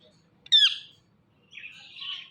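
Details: A pet rose-ringed parakeet, a talking parrot, gives a single loud high squawk followed by a quieter, drawn-out raspy note.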